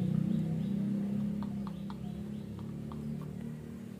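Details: Courting Bangkok rooster, injured in the leg and now used as a breeder, wooing a hen with a low, fast-pulsed rumbling cluck that fades gradually, while small birds give soft high chirps in the background.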